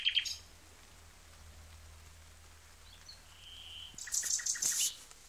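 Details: Nightingale singing: a short burst of high notes, a steady whistle around mid-pitch, then a dense cluster of sharp, very high notes near the end, over a faint low hum.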